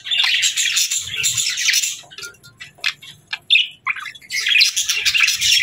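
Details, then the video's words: Pet budgerigars chirping: a burst of scratchy warbled chatter, then several separate sharp chirps and a clear rising whistled note, ending in another stretch of busy chatter. "Budgies Chirping"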